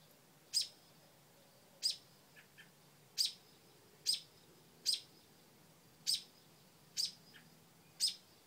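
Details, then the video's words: Protective mother bird yelling at a dog beside her porch nest holding new babies, a steady run of eight sharp, harsh chips roughly a second apart, plus a few faint lower notes. "Momma Bird Protecting Babies"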